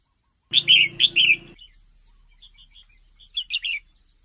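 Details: Female red-whiskered bulbul calling, used to stimulate males into lively activity: three loud, bright warbled notes in quick succession, a pause of faint scattered chirps, then a short cluster of three more warbles.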